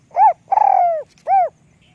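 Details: Spotted dove with a small voice calling up close: a rounded coo, a long coo opening with a brief rattle and gently falling, then a last arched coo, all within about one and a half seconds.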